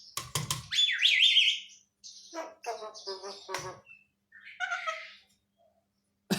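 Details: Javan myna, a talented mimic, giving varied calls indoors: a loud descending whistle, then short chattering, croaking and squeaky notes separated by pauses, with a sharp click at the end.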